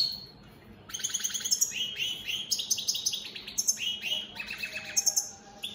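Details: European goldfinches, opal split satinette birds, singing all day in a cage: after a short quiet start, a continuous run of rapid tinkling trills and twittered notes stepping up and down.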